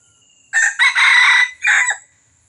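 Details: A red junglefowl in Johor, recorded for luring wild birds, gives one hoarse crow of about a second and a half: a short opening note, a long harsh middle, then a clipped final note.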